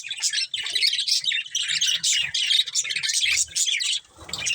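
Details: Chirping from a breeding pair of budgerigars: quick bursts of raspy twittering and sharp squeaks repeated in rapid pulses, a short lull near the end before chatter resumes, light tapping noises underneath.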